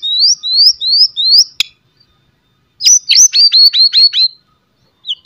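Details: White-rumped shama, a strong-singing bird, delivering loud sharp whistles and rattling chatters meant to provoke other shamas into singing: four rising whistled notes, a pause, then a rapid series of seven descending slurred notes, ending with a brief whistle.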